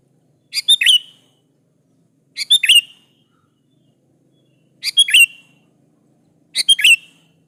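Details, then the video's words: Actively singing Sooty-headed bulbul, recorded as a lure for other bulbuls: four short chirpy phrases of rapid, slurred whistled notes, repeated about every two seconds over a quiet background with faint low hum. "KUTILANG jenis apapun Pasti nyaut di Masteri suara burung kutilang gacor ini"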